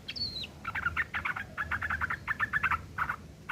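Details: Sooty-headed bulbul rough chattering, the ngeriwik kasar style used to tutor long-tailed shrikes: a high thin whistle opens, followed by a rapid, rattling string of coarse notes over steady background noise.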